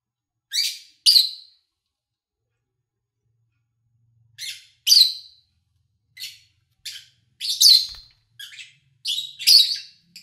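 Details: Sparse, sharp single chirps from lovebirds, isolated high squeaks separated by silences of up to three seconds, recorded in August 2019 while the owner was away, with a faint low hum at one point.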